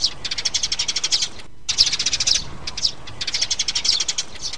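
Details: Mother and chick sparrows on a lure track for trapping: rapid, sharp high chirps in quick series, with a brief quiet gap before chirping resumes.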